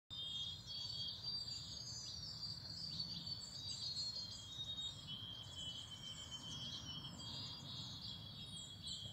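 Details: Wild birds singing in spring: high, thin whistled phrases and rapid trills, nearly continuous and overlapping, over a steady low rumble of background noise.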